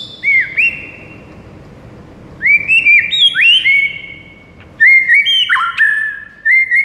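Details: White-rumped shama song meant to prompt a bird into answering within seconds: clear whistled notes, some sliding and some held flat, delivered in quick bursts separated by short pauses.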